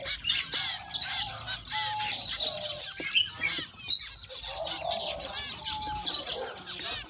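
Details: Zebra finch; begging calls; hungry chicks begging for food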